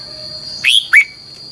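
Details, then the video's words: Red-whiskered bulbul singing a double, long twisting training song used as a lure. A short fragment of two whistled notes, the second a swooping upward slur, over a constant high-pitched whine. "luyện giọng cho chào mào hót hay - Giọng kép xoắn dài"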